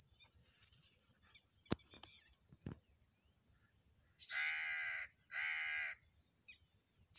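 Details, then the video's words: A Black francolin on a river bank gives two loud, harsh, grating calls about a second apart, over a steady high insect trill and a few faint clicks. "kala teetar | Black francolin voice"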